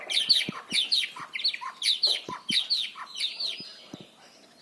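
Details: White-rumped shama, a loud and varied song used to train young birds: rapid bursts of sharp chattering and harsh notes repeated about every second, with faint low thumps underneath.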